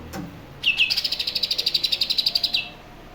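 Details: Young caged greater green leafbird from Berau, reared from a fledgling and learning to sing from phone recordings. A single bright, high trill of about twenty fast even pulses lasts roughly two seconds, opening with a short slurred note.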